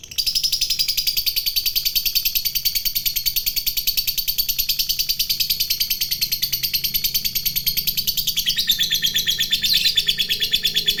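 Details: Fighter lovebird giving its long continuous chatter (ngekek panjang), said to provoke other lovebirds: a fast, steady, buzzy stream of high pulsed notes that runs unbroken for eleven seconds, shifting slightly lower in pitch near the end.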